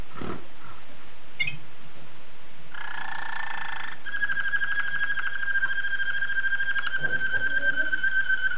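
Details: Waterslager canary (Serinus canaria) song from Belgian stock: a low, buzzy burst, then a long, steady rolling tour with a bubbling, purring quality, over faint room noise.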